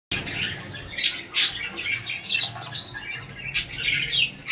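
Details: White king quail (Synoicus chinensis) gives thin, high-pitched peeps and squeaky chirps at irregular intervals, roughly one or two a second, over a faint indoor hush.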